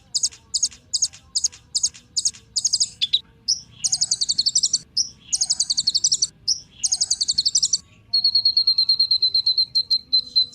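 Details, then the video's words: Kolibri Ninja sunbird used as a lure to make other songbirds sing: rapid bursts of high, sharp chirps in short runs, then dense buzzy phrases, ending with a fast, even trill of thin repeated notes. "Kolibri Ninja Pancingan Penggacor Burung Cocok Buat Isian Segala Burung"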